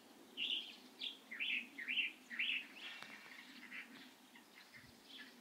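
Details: Light-vented bulbul, recorded 16 April 2023, gives a run of bright, slurred chirping notes about twice a second, loud at first and then fading into softer chatter; call.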